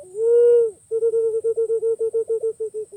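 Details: Pink-necked green pigeon calling: a long, steady, mellow whistle near 500, then after a short pause a quick run of about twelve short hooting notes that slide slightly downward at the end; quiet background.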